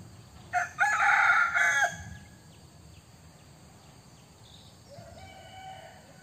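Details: Crowing white-eared decoy junglefowl rooster: one loud, raspy crow of about one and a half seconds, a brief note followed by a sustained strained phrase, then a quieter distant crow answering a few seconds later, with background hiss.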